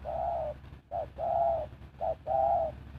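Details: Spotted dove used as a decoy to draw in wild birds: repeated coos alternating a short note with a longer sustained one, over a steady low hum.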